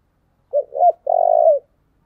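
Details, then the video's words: Spotted dove singing a phrase meant to attract wild doves: a brief coo, a rising-falling coo, then a long throbbing low note dipping at the end, clean and without background noise. "tiếng kêu của chim cu gáy âm thanh rất chuẩn để kích bổi"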